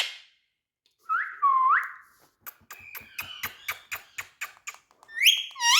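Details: Indian ringneck parakeet, a talking bird, kept indoors: a warbled whistle, then a run of about a dozen quick clicking notes, ending in sharp rising whistles.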